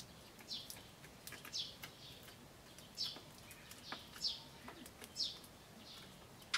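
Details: Eurasian tree sparrows in spring (10 May 2013), one with tail raised giving buzzy "jyujyujyu" calls and charging another sparrow, possibly fighting or courting: short high downcurving chirps about once a second, faint clicks, light background noise.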